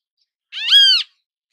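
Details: Great kiskadee in natural habitat uttering a single loud, harsh, nasal call that rises and falls over half a second, layered with strong harmonics, in otherwise quiet surroundings.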